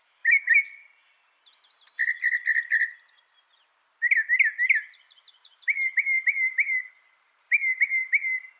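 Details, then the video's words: Mimicking northern mockingbird, credited with copying 200 sounds, singing in bursts: each phrase is a quick string of sharp whistled notes, repeated four or five times, then a pause and a new phrase; a faint high trill runs above. "Masteran suara burung NORTHERN MOCKINGBIRE bisa merekam 200 suara"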